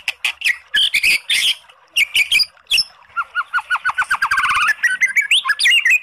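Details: White-rumped shama song used to provoke a sluggish, unmotivated bird into answering: harsh chattering bursts, then a fast run of repeated down-slurred whistles rising into varied bright phrases.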